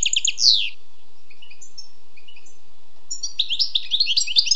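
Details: Wild European goldfinch song opening with a quick descending twitter, then a few soft scattered chirps, before a rapid jingling twitter picks up again.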